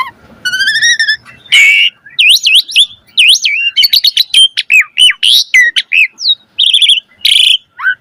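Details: Jalak suren song with rich variation, a lure recording for other birds: a stacked trilled note, a harsh burst, then wavy looping whistles, rapid clicks and a buzzy ending phrase.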